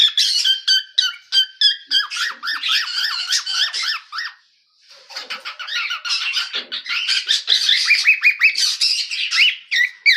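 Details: Cockatiel chick in a home setting singing a lively stream of fast chirps and curling whistles, about three notes a second, pausing briefly before a denser warbling second phrase.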